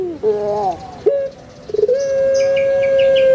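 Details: Captive Javanese puter pelung Barbary dove: a wavering opening coo, a short hoarse burst, then a long level drawn-out note, with faint chirping of other birds behind.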